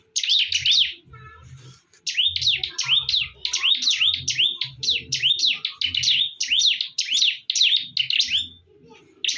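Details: During a fierce fight, bar-winged prinias pour out a long, rapid chain of high, swooping chirps with hardly a break, while low thumping sounds continue underneath.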